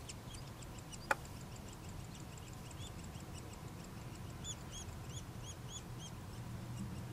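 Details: Nuttall's woodpecker nestlings calling while being fed: a fast, uneven chatter of high squeaky notes that grows stronger toward the end, with one sharp click early on and low background rumble.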